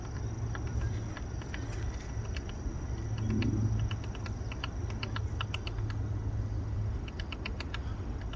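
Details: In a park, a woodpecker bores into wood searching for grubs, giving quick clicking knocks that cluster into uneven runs, some rapid, with constant low-pitched ambient noise underneath.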